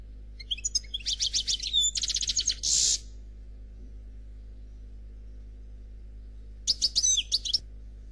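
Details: Black Khalwi European goldfinch in faultless song: rapid tinkling phrases and a dry rattling buzz, a silence of several seconds, then another short burst of sparkling twitters.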